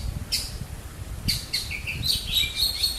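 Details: An Indian Robin sings from garden trees near a balcony in Ranchi, Jharkhand, India: brief, sweet chirping notes in quick clusters, several over three seconds, over a low background rumble.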